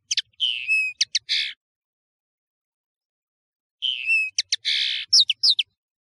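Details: Two short bursts of European serin song separated by a two-second pause, each a mix of thin whistled slurs and quick, high, buzzy notes.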